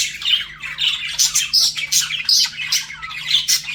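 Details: Pet budgies flirt with a quick run of bright squeaks, chirps and scratchy warbling, notes rising and falling in close, uneven bursts.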